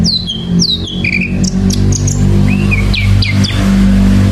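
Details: Lively sikatan londo flycatcher song: sweeping downward whistles, then short chips and arching high notes delivered rapidly and irregularly, with a persistent low hum beneath.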